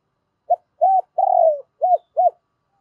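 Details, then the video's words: Cooing phrase of a spotted dove in the 'giọng thổ' style meant to stir wild birds into answering: one brief coo, a steady hoot, a drawn-out quavering falling note, and two quick rounded coos, clean with no background. "Tiếng cu gay kich boi nhanh noi, tiếng chim cu gay kich boi nhanh noi gù"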